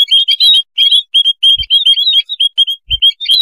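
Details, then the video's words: Lure recording of a clamorous white-headed munia flock: rapid strings of thin, high, slightly rising chirps from several birds overlapping, with a couple of dull low thuds. "suara pikat burung emprit kaji / Pipit haji koloni ribut"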